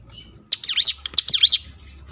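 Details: Bar-winged Prinia lure song used to make other kept birds answer and sing actively: two loud, sharp phrases of rapidly repeated high zigzag notes, the first sweeping down and up, with a short pause between them.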